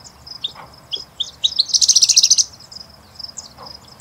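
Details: Singing Bush Lark (Horsfield's bushlark, Mirafra javanica) at Sabya, Jazan Region, Saudi Arabia, giving high, scratchy chirps and twitters broken by a fast, dense trill of about a dozen notes, over faint hiss.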